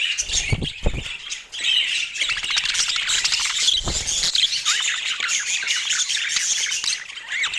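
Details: Budgerigars keep up a continuous chatter of squeaky warbles and short whistled chirps, with a few low thumps near the start and around the middle.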